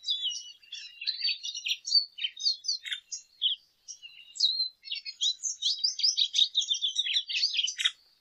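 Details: High, rambling warble of a lesser goldfinch, with chattering phrases, thin whistles and a pause before a fast, busy burst of twitters.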